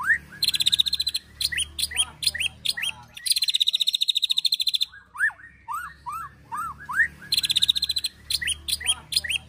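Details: Provoking training song of white-rumped shama in the ketrekan style with mimicked cililin and prenjak phrases: loud dense rattling bursts of high notes alternate with looping whistled upslurs, phrases repeating every couple of seconds over a low background hum.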